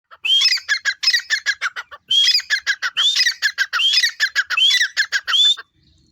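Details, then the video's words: A female grey francolin gives loud, harsh, ringing notes in quick rhythmic runs, about five per second, in two bursts with a brief pause between. "female tettar ki awaz"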